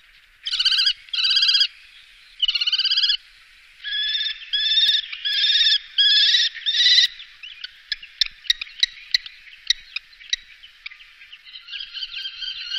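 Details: Common kestrel, Wittlicher Tal, 2018: drawn-out, harsh, harmonic-rich whining calls in separate bursts, then scattered sharp clicks and a final rough trilled note.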